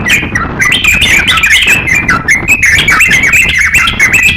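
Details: Crocok-cokan song as a master for training songbirds: a continuous, fast warbling chatter of bright whistles, rising and falling notes packed closely together.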